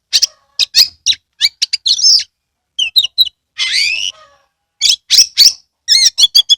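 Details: Oriental magpie-robin singing energetically, a lure recording for birds that rarely sing; fast choppy chirps, a long rasping rising sweep, then quick repeated whistles.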